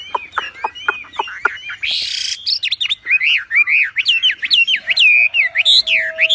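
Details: Javan pied starling song used for training other birds: sharp downward chips, a harsh burst of noise, then a rapid chain of looping whistled notes, with a steady low tone underneath near the end.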